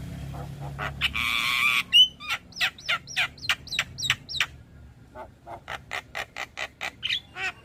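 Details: Javan myna song used as a lure to get stressed or silent mynas singing: a harsh buzzy burst, a sharp whistle, then a fast run of clipped chattering notes about three per second, fading to softer scattered chips.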